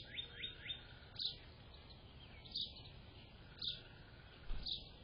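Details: Grey catbird on 24 April 2025: a quick trio of upward-sweeping chirps, then sparse, bright, emphatic single notes about once a second, separated by quiet gaps with soft low background hum.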